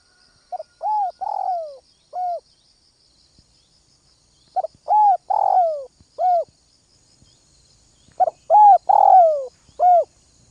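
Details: Spotted dove from north-western Vietnam calling in the early morning, a caged bird used as a lure; phrases of short cooing notes and a long falling rough coo, repeated three times with pauses between.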